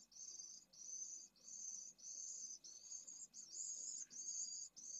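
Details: A pallid swift breeding colony at a school in Jerez de la Frontera, Spain, on a sweltering day above 45ºC. High, rasping trilled bursts of roughly half a second repeat one after another, over quiet background hiss.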